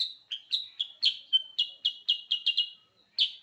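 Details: Sooty-headed bulbul in full gacor voice, pouring out a quick, uneven string of bright chirped whistles, some slurred and drawn out, nearly continuous before a brief pause and a final loud note.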